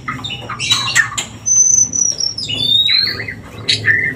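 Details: White-rumped shama song played to raise breeding urge: quick chattering notes, then long sustained high whistles sliding downward, ending in short sweet chirps, over a faint low hum.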